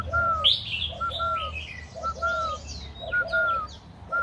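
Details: Tamed spotted dove kept for its cooing, near Ba Vi, Hanoi, Vietnam: soft low coo phrases of two or three notes repeated about every second, mixed with higher chirps and twitters from other small birds.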